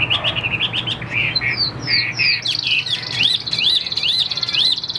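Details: A caged Chinese hwamei sings a loud, varied run of clear whistles, opening with quick repeated notes, then sweeping slurred phrases and a series of rising upslurred whistles.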